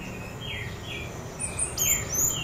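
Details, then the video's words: Orange-headed thrush described as an untrained "bahan" bird giving "trotol" calls: thin, high whistled phrases that slur downward, with a brighter, busier burst of notes near the end over a low background hum. "Dengarkan suara ini, anis merah bahan, macet, trotol auto respon"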